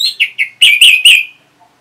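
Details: Orange-headed thrush responding to a lure sound: three short, descending whistled notes, then three louder, fuller slurred notes in quick succession, fading into silence.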